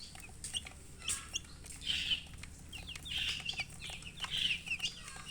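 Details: Baby chicks chirping, brief high slurred peeps coming in loose groups roughly once a second, overlapping calls from more than one bird, faint hum behind.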